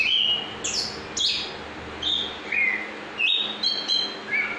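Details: Chestnut-capped thrush in continuous rolling ngrol song: a varied string of clear, whistled phrases, each pitched differently, some rising and some falling, flowing with barely a pause over a steady background hiss.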